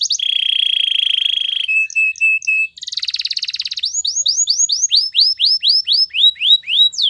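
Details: Caged canary song moving through a fast rolling trill, a short series of clipped chips, a buzzy rattle, then a steady string of rapid downward-sweeping whistles.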